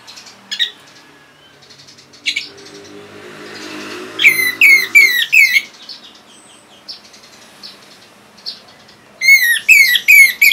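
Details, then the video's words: Orange-headed thrush song meant to prompt other birds to answer and sing: scattered single chirps, then rapid runs of four sharp, descending whistled notes, repeated twice with pauses between. "Luar Biasa ANIS MERAH ini Mampu Membuat Burung Bahan Maupun Macetan Bisa Langsung Nyaut Ngeplong!!!"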